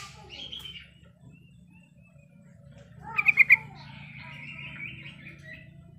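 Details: A yellow-vented bulbul calling to provoke rivals gives bubbly, chattering notes, then a quick burst of four loud, bright chirps midway, followed by softer warbling over a faint low hum.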